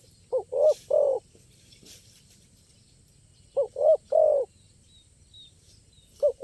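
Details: Spotted dove singing in a crisp, stuttering style at a luring spot; two three-note cooing phrases, short then two longer coos, three seconds apart, with the start of a third; faint high chirps and insect hiss behind.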